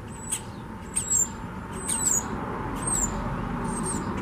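A common starling gives thin, high whistles that slide downward, repeated about once a second.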